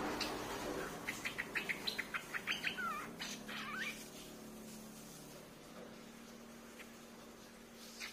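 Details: Lure recording of a streak-eared bulbul: a quick series of about ten short, evenly spaced chirps, then a few slurred notes, fading to quiet background with a last chip near the end.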